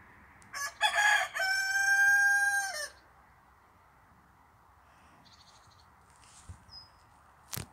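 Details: Rooster crowing once: a broken opening then a long sustained harmonic note held about a second and a half, ending with a falling tail; quiet background afterwards with a few faint distant sounds and a sharp click near the end.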